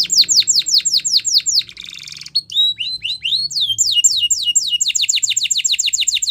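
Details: A Spanish Timbrado canary sings fast runs of high, sweeping notes, broken by a short buzzy rattle and a few varied whistles, then quick repeated phrases again.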